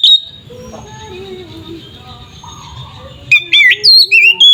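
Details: Oriental magpie-robin in fighting-mode song, played to make other magpie-robins agitated. Mostly soft background twittering at first, then a sudden run of loud, sweet, sliding whistles in quick repeated bursts near the end.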